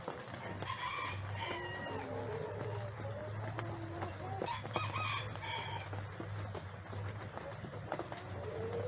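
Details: Rooster among backyard free-ranging chickens at a chicken sanctuary, playing and foraging for worms in the rain. Two harmonic, drawn-out crows, the first near the start and the second midway, over steady rain patter, drips and a low hum.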